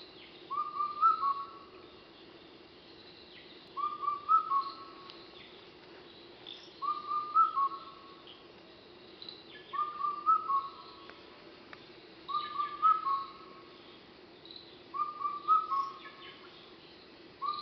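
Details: Indian cuckoo (Cuculus micropterus) at Thattekkad, Kerala, on 6 May 2012 in the late evening, repeating its mellow four-note whistled phrase about every three seconds.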